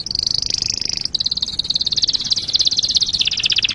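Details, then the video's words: Canary song used as a master recording for training other songbirds: a dense, rapid high trill that holds steady, breaks briefly, then runs on as a fast rattling roll that drops slightly in pitch near the end. "Masteran Suara Kenari"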